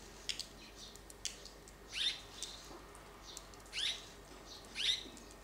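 Red-rumped swallow giving three short, rising chirps about a second apart, with a few faint ticks and soft rustling between them.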